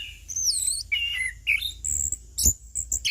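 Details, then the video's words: Orange-headed thrush, ngeplong song: high wavering whistles and slurred notes in quick succession, with a soft click midway. "Burung Anis Kembang / Punglor - AK Ngeplong"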